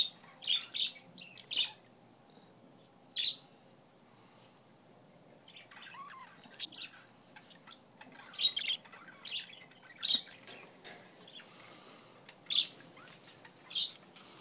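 Budgerigars give short, high, scratchy chirps in scattered bursts, with softer warbling chatter between them.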